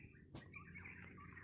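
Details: Blue-crowned hanging parrot recorded during a luring session over grass: two short, very high, thin whistled chirps, each slightly rising, about a quarter-second apart, over a steady high-pitched hiss.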